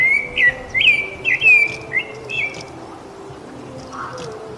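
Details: Rufous-bellied thrush giving a short burst of six whistled, slurred notes in under three seconds, then fading into quiet background hiss with a faint distant sound.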